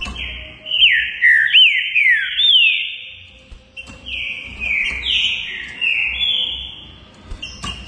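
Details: Green-winged saltator, a favourite Brazilian songbird, whistling two phrases of strongly slurred notes that rise quickly and fall, separated by a short pause, with faint background noise.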